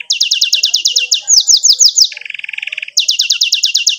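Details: Canary, a 'gacor' singer with 'cuit cuit' and rolling 'ngerol' tours, recorded to teach juvenile canaries: a fast run of high repeated notes, falling slurs, a lower buzzy trill, then the rapid high notes again.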